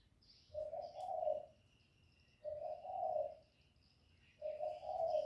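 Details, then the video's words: Lure spotted dove calling to attract wild doves to a trap: three mellow, low, slightly wavering coo phrases spaced about two seconds apart, with thin high bird chirps faintly behind. "Cu gù kích bổi, kéo bổi về tàng tiếng chim cu gáy đi bẩy"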